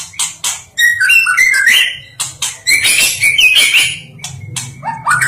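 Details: White-rumped shama, a national champion songbird, delivers short bursts of bright whistled and twittering phrases separated by brief pauses, mixed with sharp clicking notes, against a faint constant low hum.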